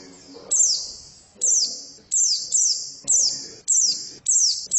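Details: Female white-eye sounding sharp, high chirps roughly every second, each sliding down and ringing on in a strong echo, with soft low rumbles underneath.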